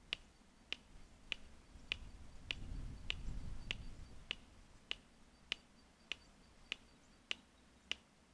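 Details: In Kruger National Park, South Africa (Pafuri to Tsendze area), a Red-crested Korhaan gives sharp, dry clicks, about fourteen in a steady series, one every half second or so, over a low rumble of wind.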